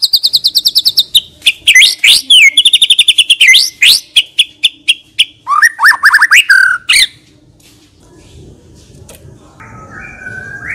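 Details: White-rumped shama (murai batu), a select bird singing nonstop with rich mimicked fills, meant as lure audio: fast trills and repeated buzzy notes, then upswept whistles and sharp rising phrases, falling quiet for the last few seconds.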